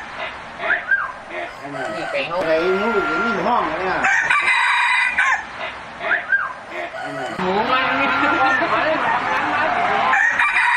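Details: Roosters of heritage chicken breeds crowing; drawn-out wavering crows overlap one another, with clucking and a brief quieter gap after four seconds, then more crowing.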